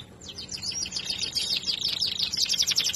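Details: Canary of a singing breed delivering a dense, fast trill of high chirping notes, rippling continuously for three seconds over faint low background hum.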